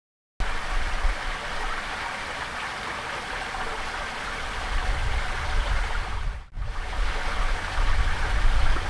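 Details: Steady rushing of stream water fills the recording, loud and broadband, with a short dip in the flow sound near the middle and no animal calls heard.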